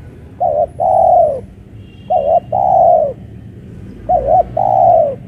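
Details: Spotted dove calling from a pole cage on open ground, its crisp voice back after losing a fight days earlier: three phrases about every two seconds, each a quick warbled note followed by a long, drawn-out falling coo, over low background hum.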